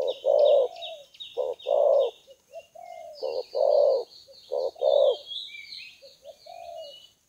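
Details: Repeated low, rough coos from a spotted dove used as a lure, loud and closely spaced. A steady stream of high, thin chirps and twitters from small birds runs beneath throughout.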